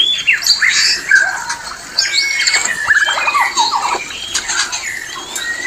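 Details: White-rumped shama breeding-condition call: a busy jumble of sharp squeaky whistles, harsh squawks and short buzzy bursts, with quick downward slurs and brief pauses between phrases.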